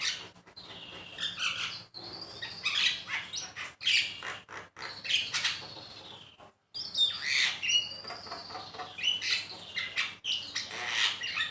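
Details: Javan myna song used as a master recording to stimulate pet mynas to sing: harsh, raspy chatter and squeaky whistles in bursts, with brief silent gaps between phrases.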